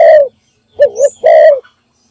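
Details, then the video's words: Spotted dove decoy bird giving its morning call, used to lure and attract other doves: three low, mellow coos in two seconds, the first and last smooth and steady, the middle one wavering with a double hump, plus a brief faint high squeak. "นกพิราบดัง birds - เสียงนกร้องตอนเช้าเพื่อเรียกนกของคุณ"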